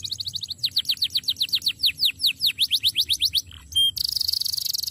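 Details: Canary song used for training: a fast trill, then steady repeated down-slurred whistles, a short pure note and a dense buzzy trill at the end.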